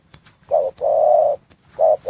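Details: Spotted dove in a breeding cage giving its cooing call: a short soft hoot, a longer drawn-out coo, then two more brief hoots, low and mellow, with faint clicks and rustles in between.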